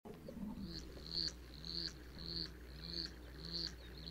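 A Black-chinned Hummingbird gives short, thin, high chips about every half second, over a low, soft cooing murmur in the background.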